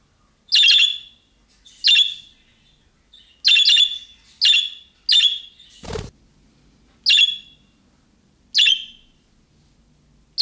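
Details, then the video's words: Budgerigar repeating young-bird-style calling chirps that other budgerigars respond to: about nine harsh, buzzy squawks spaced roughly a second apart, some in quick pairs, with one sharp knock in the middle. "MUHABBET KUŞU SESİ Kuşunuz Bu sese Karşılık Verecek Kuş Sesi"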